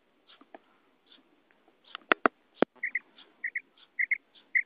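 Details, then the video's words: A female common quail gives soft, short calls, often in quick pairs, about twice a second, among a few sharp clicks. "female quail call maadi batair ki awaz"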